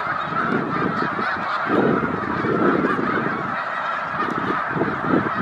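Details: A large flock of migrating snow geese at Victoriaville, Quebec gives a dense, continuous chorus of nasal honks and yelps, overlapping without pause.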